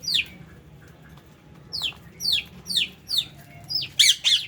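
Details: Feeding lovebirds housed with budgies give sharp, high, descending chirps in a brisk irregular series, with a couple of louder doubled notes near the end and a faint low hum behind.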